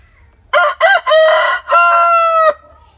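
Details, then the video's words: Loud rooster crow in four parts: two short clipped syllables, a longer middle note, and a drawn-out, steady final note held for about a second before cutting off sharply, over quiet low hum. "Tiếng gà trống gáy"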